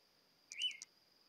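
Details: Green-backed robin in mid-montane forest understory, West Papua, New Guinea, gives a single brief slurred whistle that rises then dips, with a few faint ticking notes, over a steady high insect-like hiss.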